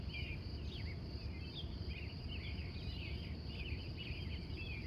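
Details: Dawn chorus of wild birds in Glendive, Montana, USA, recorded live from 3:45 a.m.: quick twittering notes and short swooping phrases repeat continuously, backed by a constant shrill drone and low rumbling noise.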